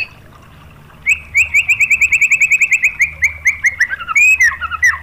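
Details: White-rumped shama (murai batu) lure song meant to provoke other shamas into singing: after a second of quiet, a rapid run of about twenty sharp, clipped notes at one high pitch, ending in a few slurred, descending whistles.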